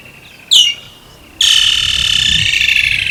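Woodland kingfisher giving a sharp, high introductory note, then a loud, fast, rattling trill held steady to the end.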